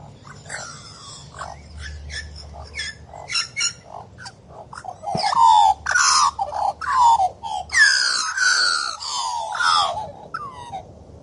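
Australian magpie giving rich, fluting and gurgling notes with falling slurs and harsh overtones, building louder through the second half over a low background hum.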